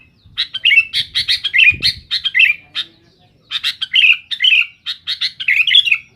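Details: Sooty-headed bulbul in full noisy song to press rivals: fast strings of sharp chirps and down-slurred whistles in two long runs split by a short gap, a soft thump in between.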